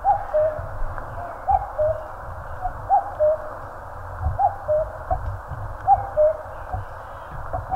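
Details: Repeated cuck-oo of a common cuckoo in the Korean mountains, a clear higher note dropping to a lower one, heard five or six times in under eight seconds against constant rushing background noise.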